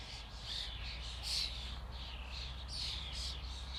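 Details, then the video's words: A flock of common starlings chattering: dense, overlapping high squeaks and whistles with no gaps, over a low steady rumble. "Flock of starlings/ Stado szpaków/ Ein Schwarm Stare"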